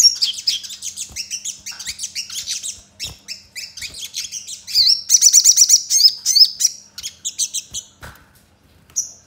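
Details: Javan tesia (Tesia superciliaris), song: prompting other sogons to start singing.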